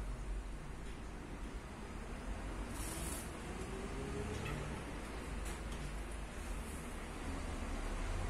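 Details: Steady low rumbling noise, like a passing vehicle, fills the whole recording, broken by a few short hissy bursts.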